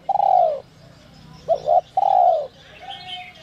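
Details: Spotted dove of the 'giọng còi' voice type, used to excite wild doves. A long falling coo, a double short note, then another long coo, followed by a thinner, higher bird sound at the end.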